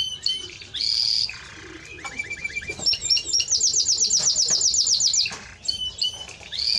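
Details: Timbrado Español canary song mixing short whistled phrases, a lower run of repeated chirps, and a long rapid trill of high notes at about four per second, ending with more whistles.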